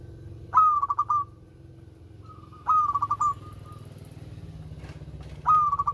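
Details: Song of a melodious local zebra dove. Three phrases, roughly every two and a half seconds, each a sharp rising note dropping into a fast chain of clipped coos. A low droning hum continues beneath.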